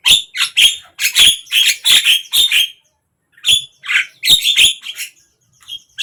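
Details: Javan myna song heard morning, midday or evening: rapid runs of harsh, scratchy chattering notes with squeaky whistles, a pause around the middle, then further grating bursts.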